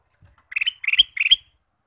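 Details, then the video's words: Male kutilang emas (sooty-headed bulbul) singing as a lure for trapping wild bulbuls: three short bright phrases of quick bubbling whistled notes, each ending in a higher ringing note, spaced about a third of a second apart. "Kutilang Emas Pikat Gacor"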